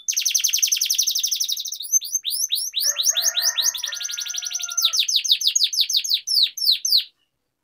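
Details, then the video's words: Canary in rolling 'ngerol' song, used to coax reluctant canaries to sing: a fast buzzy trill runs into a stream of sharp downward-swept whistles, with a soft lower warbling passage in the middle before it stops. "Pancingan Kenari Gacor Ngerol Ini Ampuh Bikin Kenari Malas Jadi Gacor"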